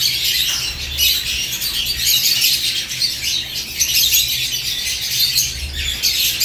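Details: Morning lovebirds in a cage: a lively, crowded twittering of high, squeaky chirps, constant throughout with small surges, and a faint low hum in the background.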